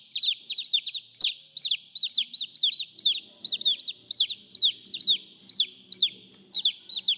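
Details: Chicks calling their mother: a steady stream of high, downward-slurred peeps, roughly two per second, each sharp and thin, with a faint low rumble in the background.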